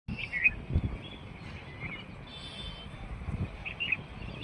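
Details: Wild bird outdoors in a rural setting gives short, high chirps in brief clusters near the start, middle and end, with a steady low rumble of wind or distant traffic underneath.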